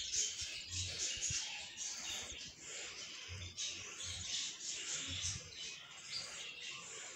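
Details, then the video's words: Budgerigar chicks kept as house birds, giving a dense, raspy, high-pitched chatter that swells and fades in waves across the clip, with occasional faint low thumps underneath. "Budgie -Babies -Baby -Budgies -Chicks -Tweets-parrot"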